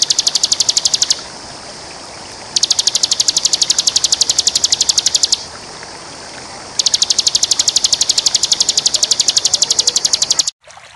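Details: Bar-winged prinia (Prinia familiaris) song from a champion bird used as a tutor recording: long bursts of rapid, high, evenly repeated chipping notes, in three runs separated by brief pauses over a faint background hiss.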